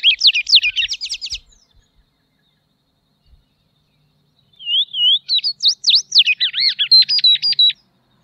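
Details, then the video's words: Song of the Tropeiro seedeater, a vulnerable seed-eating bird: a quick burst of high zigzag chirps, a silent gap, then wavering whistles leading into a long rapid twittering phrase. "Canto da Patativa Tropeira Sporophila Beltoni"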